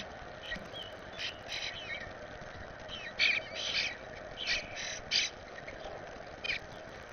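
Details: A fledgling Eastern bluebird from the first clutch, visiting the yard with its parents, gives harsh, raspy begging notes in short irregular bursts, clustering as the parents bring food, over a steady low background hiss.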